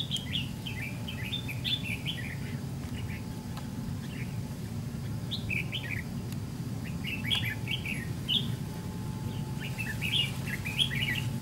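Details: Chirping red-whiskered bulbul, a white-cheeked decoy in a trap-fight setup, gives clustered bright slurred notes in several bursts separated by short pauses, against low steady background noise.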